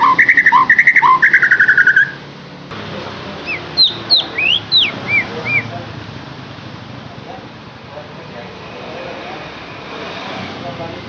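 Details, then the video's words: White-rumped shama (murai batu) song used as a lure to stimulate a captive bird to sing: a fast burst of loud repeated whistled notes, then a short series of rising and falling whistles over steady background hiss. "KICAUAN UNIK Cocok untuk pancingan murai batu AGAR LANGSUNG GACOR dan NGEPLONG"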